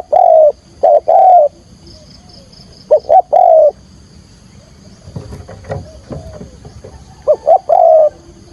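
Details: Spotted dove used as a trapping decoy, calling in 'thúc gù' style: clear hooting coo phrases at start and end, a short and a long note each, with a quieter stretch of faint scratchy sounds in the middle.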